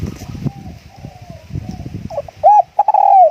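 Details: Spotted dove kept as a decoy bird, cooing. Low background rumble and scattered knocks come first, then a burst of stuttering notes leads into rounded hooting coos and a long rolling coo at the end.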